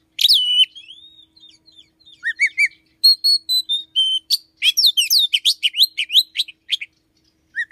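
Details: Morning song of an Oriental magpie-robin, a kept bird said to start calling around five a.m. and to mimic another small bird: clear falling whistles, then steady rhythmic chirped notes and quick varied slurred phrases.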